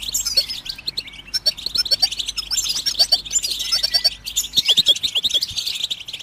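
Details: Lively goldfinch twittering meant to get other birds singing, with rapid high chirps, bright tinkling notes and short trills strung together with barely a break.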